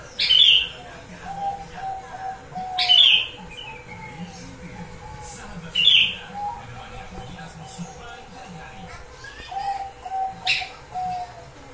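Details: Gentilang song with a starling-style fill, used as a lure to draw gentilang in. Short harsh buzzy bursts come about every three seconds, with soft, thin whistled phrases between them over a steady faint hum.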